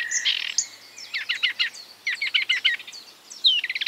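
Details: Marsh warbler mimicking other birds: a buzzy opening, then two rapid series of quick stuttering notes, a descending whistle and a final fast rattle.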